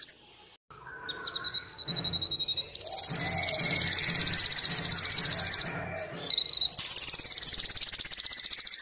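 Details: Rapid, shrill trills of a Kolibri Wulung sunbird, from a recording used to make birds sing and lure wild ones, with a few lower notes between bursts and a low pulsing hum beneath.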